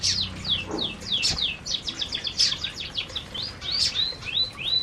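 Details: Canaries eating together in an aviary produce a rapid series of sharp descending chirps, followed by clear rising-then-falling whistled tweets repeated several times.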